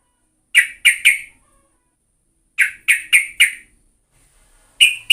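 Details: Yellow-vented bulbul used as a lure recording, giving short harsh chirps in clusters of three or four, spaced by silent gaps of about a second, each note sharp and brief. No background noise.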